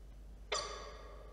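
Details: At a Charles Sturt University campus nest box in Orange, NSW, Australia, on 1 September 2022, a male peregrine falcon brings prey and clucks to the eggs as parents do when feeding chicks. He gives one abrupt, harsh, rich-toned cluck that trails off quickly, over faint hiss.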